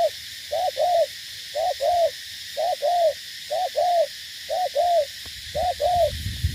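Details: Steady cooing from a spotted dove kept as a decoy in Cà Mau, Vietnam: soft low two-part phrases, a quick note then a longer rounded one, repeated regularly roughly every second.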